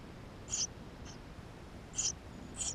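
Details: Eurasian tree sparrow nestlings inside their nest, GoPro recording; three high squeaky calls, the middle one faint, in under three seconds, over quiet hiss.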